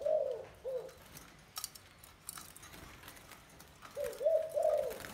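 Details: Spotted dove, a wild-caught bird after 12 days in a cage, gives low mellow coos in two bursts, a pair of short notes first, then three linked notes near the end, with faint clicks and rustles between.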